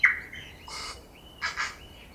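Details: Tui feeding on flowering banksia and flame tree on Owairaka in winter: a bright whistled note, then harsh breathy rasping bursts, a level whistle and another double rasp.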